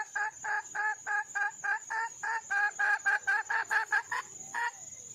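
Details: Female red junglefowl, a wild hen, calling to find a male: a fast run of about sixteen short, harsh clucking notes, roughly three per second, over a steady high insect-like whine throughout.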